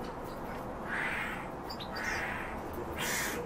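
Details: Common starling (Sturnus vulgaris) song: harsh, wheezy bursts about once a second with a few thin high whistles between them, over steady background hiss; a kept bird.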